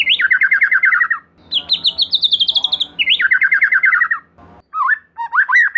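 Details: Song of a White-rumped shama meant to lure another shama into singing: long rapid trills switching between high and mid pitch, then a few looping whistles.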